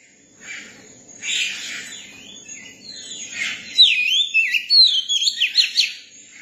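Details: Young Oriental magpie-robin singing, starting with soft harsh rasping notes and then breaking into loud, fluid whistles with looping slurs and fast clipped notes over faint low background hiss.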